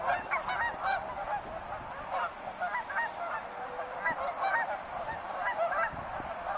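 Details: A flock of wild geese honks continuously, many nasal overlapping calls in a busy chorus with no pauses.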